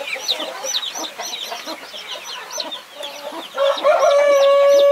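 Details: A hen protecting her 21 young chicks clucks in low pulses among high chick peeps, then gives a long, loud, steady drawn-out harmonic call to close.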